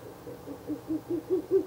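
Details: Night recording of a Ural owl at a nest box on 16 April 2024, third night of nest visits; a quick run of low hoots starting faint and growing steadily louder, about five per second.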